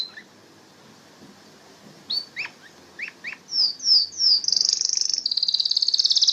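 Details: Canary, the yellow, orange or red bird originating in the Canary Islands, gives a few scattered chirps, then descending slurred whistles and a fast high rattling trill.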